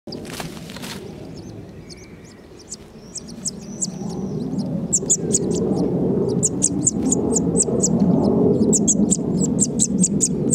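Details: A nest of five common linnet nestlings, about 3–4 days old, being fed by their mother and a female blackbird, beg with thin, very high chips that build into a fast, excited chorus of two or three calls a second, over low rustling and breeze.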